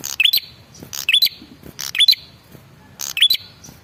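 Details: Provoking call of a male prinia: four quick phrases of rattling clicks, each topped by a sharp upward whistle, delivered about once per second with short quiet pauses.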